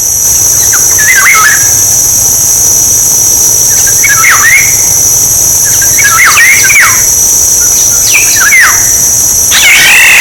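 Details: Decoy recording of a Black-naped oriole: liquid whistled phrases with swooping down-slurs, given five times at intervals of roughly two seconds, ending in a harsher note, against a constant shrill background drone.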